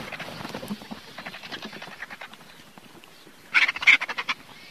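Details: Griffon vulture (Gyps fulvus): quiet, irregular rapid clicking chatter for three seconds, then a burst of louder, harsh, rattling pulses near the end.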